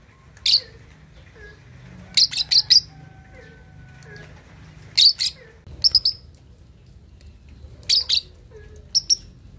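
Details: Two-and-a-half-month-old lovebird practising ngekek chatter, suited to provoking rivals: spaced bursts of shrill high chirps, often doubled or tripled, with faint soft lower tones sounding quietly in the background.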